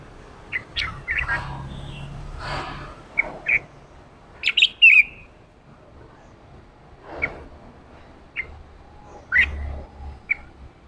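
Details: Red-whiskered bulbul male in 'ché' training song to rouse fresh wild-caught birds: sparse short chirps, a lively mid-clip cluster of slurred chattering whistles, then single sharp notes every second or so.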